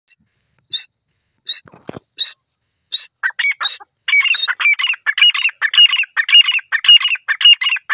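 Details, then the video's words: Grey francolin calling: scattered short notes at first, then a loud, harsh, ringing series of repeated notes, almost two per second, building steadily in strength over several seconds. No other clear sounds. "titur ki awaj teetar ki awaz"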